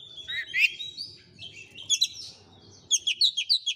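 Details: Oriental magpie-robin singing to stir a silent rival bird into reply: slurred whistles and buzzy trills over a low background rumble, ending in a rapid series of six bright clipped notes.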